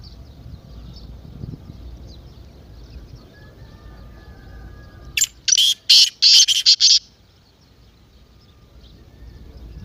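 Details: Partridge call of the lively, excited kind, used to get a silent partridge calling. Mid-clip there is a quick run of about six loud, grating, rasping notes. Before and after, the background is quiet, with faint small-bird twitters.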